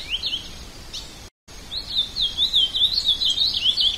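Ultramarine grosbeak singing a rich, fast warble of sweet, slurred high notes, briefly broken by a short silent gap, over faint background hiss.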